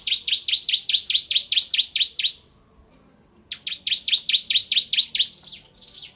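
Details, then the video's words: Vigorous 'nembak ngebren' song of a bar-winged prinia: two rapid, regular bursts of about ten high, piercing down-slurred notes, separated by a second of quiet. "Suara Burung Ciblek Kristal Gacor"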